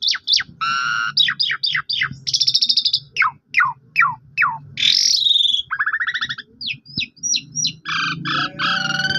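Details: Asian pied starling song played to make a silent bird reply: a lively mix of sharp descending whistles, buzzy trills, a loud harsh rattle and repeated high chirps.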